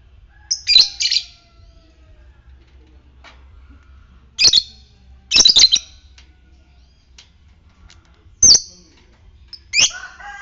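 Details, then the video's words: Caged lovebird playing a fighter-type recording meant to stir other lovebirds into their long trilling ngekek song. Harsh, high chirp bursts come in groups with quiet gaps of two to three seconds between them. "Pancingan lovebird ngetik fighter merangsang ngekek"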